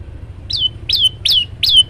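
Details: Energetic olive-backed tailorbird singing with variation: four crisp down-sweeping notes, each ending in a short flat whistle, delivered at a regular pace over soft low-frequency noise.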